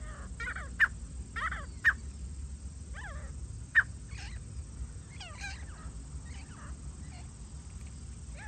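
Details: During a francolin hunt, a grey francolin gives curved, arching harmonic notes about once a second, punctuated by three loud sharp clicks, with a steady low hum beneath.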